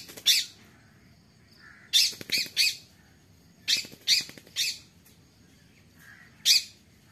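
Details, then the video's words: Harsh, grating squawks from a parrot said to be talking, delivered in short clusters of one to three rasping notes separated by quiet pauses of about a second, with a few faint softer whistle-like sounds between clusters. "Parrot talking parrot"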